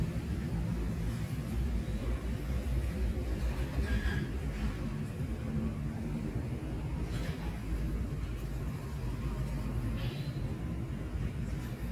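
Steady low vehicle rumble with faint passing traffic noise; no animal calls stand out.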